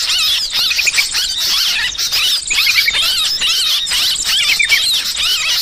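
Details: Noisy sooty-headed bulbul calls used to lure birds: a dense, continuous chatter of squeaky, high-pitched warbled notes, overlapping without pause.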